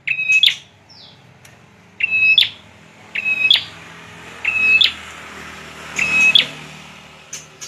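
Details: Bar-winged prinia, also known as ciblek, repeating a two-part phrase five times at roughly one-second gaps: a level whistle followed by a harsh, explosive chirp, over a faint hiss.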